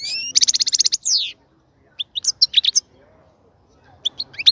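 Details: Caged European goldfinch singing while a cage is readied for mating: a rapid buzzy trill of about ten notes, a falling slurred note, then short high chirps and twittering phrases after a pause.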